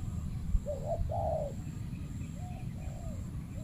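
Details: Spotted dove, a territorial male ruling a banana plantation, challenged by a trained decoy dove during trapping; a loud mid-pitched two-part cooing phrase, then softer, fainter coos, over steady low rumbling background noise.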